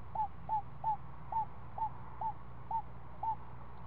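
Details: Week-old screech owlet's nest during an afternoon snake meal: eight crisp, downward-hooked notes spaced roughly half a second apart over a soft low hum.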